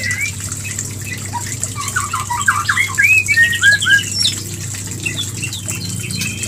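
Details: Mating call of a white-rumped shama, meant to stimulate a female toward breeding: a busy jumble of quick chirps and looping whistled phrases that peak midway, then fade into faint notes against constant background hum.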